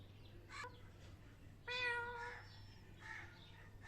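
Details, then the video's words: Parrot copying a cat: a brief mew, then a long, strong harmonic meow that tails off, followed by softer murmured sounds over steady low background hum. "Most cute parrot talking in cat voice"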